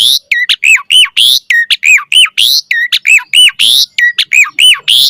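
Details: Asian pied starling in energetic song: rapid repeated harsh, harmonically rich squawks alternating with downslurred whistles, about two notes per second, in an insistent chattering rhythm.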